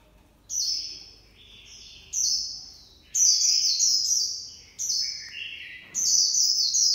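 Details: Japanese white-eye singing in the 'líu pha choè' style: high, thin whistled phrases that slide downward, delivered in bursts of about one to two seconds separated by short pauses, over a quiet background.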